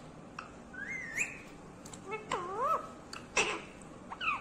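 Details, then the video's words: Talking parrot kept as a pet, whistling a series of tonal notes: a rising slurred whistle, then wavering up-and-down notes and short clicks, with brief squeaky sounds near the end. "बोलने वाला तोता मिट्ठू talking Parrot mummy papa"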